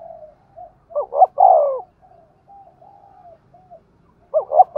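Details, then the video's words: Spotted dove decoy cooing Thúc Gù-style to lure wild doves. Two full phrases of double short notes and a long falling coo, with softer quiet coos between. "Tiếng chim cu gáy Thúc Gù bài bản rất sung và hay, bổi nghe nhanh về cội"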